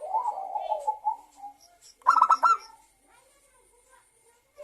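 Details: Local zebra dove singing as a lure for other doves: a long soft warbling coo, a brief pause, then one loud rapid pulsed trill, fading to quiet.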